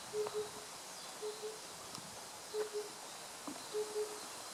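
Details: Oriental cuckoo (Cuculus saturatus), recorded 8 June 2015: low, hollow, paired hoots on one steady pitch, the doubled notes repeated about every 1.2 seconds, over faint background hiss.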